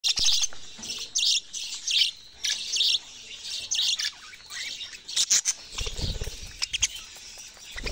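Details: Budgerigar calling with bursts of high, bright chirps and short warbled notes in quick clusters, broken by brief pauses and a few low thumps or knocks.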